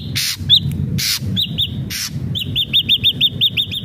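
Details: Vigorously singing ashy drongo, used as lure audio for captive birds: loud harsh rasping bursts alternate with high arched whistles, ending in a quick regular series of about ten repeated chirps.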